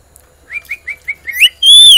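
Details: Parrot, described as a talking bird, giving a run of five short whistled chirps, then a rising note and a long loud whistle with a slight rise and fall. No clear words are heard.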